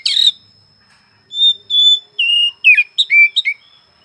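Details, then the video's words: Whistled song of an oriental magpie-robin: a sharp opening note, a pause, then sustained pure whistles followed by quick sliding, rising and falling notes, with a steady thin high tone in the background. "Suara burung Kacer pagi siang malam"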